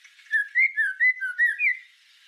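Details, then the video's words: Brief white-rumped shama song from a master recording for tutoring songbirds: a flowing series of about six clear, slurred whistles, each rising or falling, delivered in quick succession. "Suara Masteran Murai Batu Full Tembakan"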